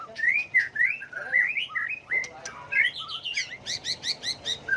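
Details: Varied white-rumped shama song for provoking birds into singing contests: liquid, slurred whistles run quickly together, then a fast train of buzzy, rattling notes repeated several times at the end.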